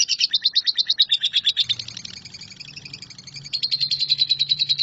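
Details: Nyambung kuntilanak lovebird song, the long connected style used as tutor song for shrikes: quick high chirps, louder at first, fading briefly in the middle, then returning as a steady shrill rattle.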